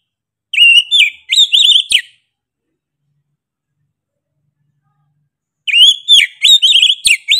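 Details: Oriental magpie-robin singing loudly and persistently: two bursts of rich, varied whistled phrases with quick slurred notes, separated by about three and a half seconds of silence.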